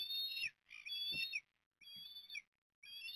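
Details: Eastern osprey chicks at Port Lincoln, Australia, begging at a morning feeding on 20 September 2022: loud, strained whistles about half a second long, repeated roughly every second, with a faint low thump between calls.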